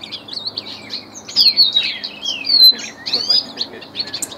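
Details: A trained ultramarine grosbeak delivers fast, sweet warbled phrases of slurred rising and falling whistles, with a few sharp high notes near the end.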